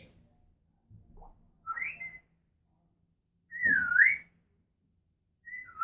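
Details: Pet African grey parrot, female, talking and making noises indoors; scattered whistles, including a rising note and a loud swooping up-and-down whistle, separated by silent pauses.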